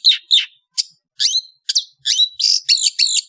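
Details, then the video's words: Indonesian long-tailed bird in the afternoon, delivering sharp squeaky chips and slurred whistles that build into a series of strident, grating buzzes in rapid rhythm. "THE SOUND OF INDONESIAN LONG TAILED BIRDS"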